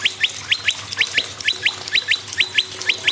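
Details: Prinia song to stir other birds into song: bright, evenly spaced pairs of chirps sweeping downward, about two pairs a second, over a faint low drone.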